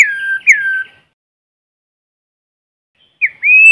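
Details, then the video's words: White-rumped shama in forest, a lure bird singing: a slurred falling whistle with buzzy overtones, a second downslur, silence, then a short dip into a long steady high whistle. "Tiếng chim Chích chòe lửa mồi hót kích bổi không tạp âm | White-rumped Shama singing in forest"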